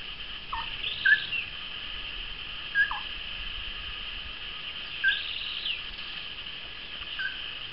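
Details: Moustached turcas in apparent courtship repeat short, emphatic notes roughly every one and a half to two seconds, alternating lower and higher tones, beneath a continuous high droning hum.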